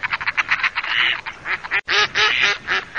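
Mallards give harsh, nasal quacks: a quick chattering run of short notes, then several longer, drawn-out quacks, with no other sounds.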